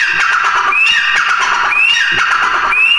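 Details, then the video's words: Grey Francolin (Irani teetar) chicks give thin, rising whistles about once a second, with dense hiss and overlapping chatter in the background. "teetar chicks sound"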